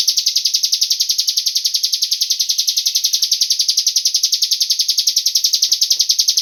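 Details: Long unbroken run of a cigun bird's lure call, aimed at getting other birds to sing: a shrill buzzing trill pulsing about three and a half times per second, very even.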